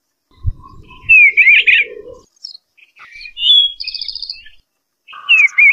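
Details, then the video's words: Melodious Eastern bluebird song: a loud gurgling warble, softer twitters and a short rapid high trill in the middle, then a renewed warbled phrase at the end. "Bird Sounds Eastern Bluebird Call The Melodious Song Eastern Blue bird"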